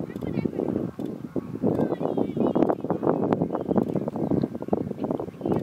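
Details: A flock of American flamingos at a lagoon fish farm on 19 April 2022 keeps up a dense, continuous gabble of low, nasal, goose-like honks and grunts that overlap without pause.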